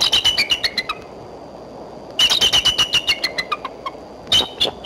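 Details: Female bald eagle perched for a long time on a branch near the nest in Decorah, April 3, midday: two bursts of high, thin, chittering notes, quick descending series of squeaky peeps, then a brief third burst.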